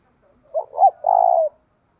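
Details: Decoy spotted dove calling to stir up rivals, in the 'giọng thổ' cooing style; one phrase with two quick mellow notes, then a drawn-out low coo, in quiet surroundings.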